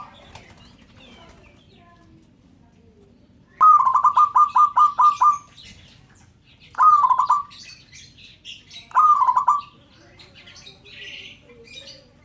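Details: Local zebra dove giving its call to set other birds calling: a long rapid string of about nine bubbling, evenly spaced coo pulses, then two shorter rolling bursts, with faint high chirps and rustling around.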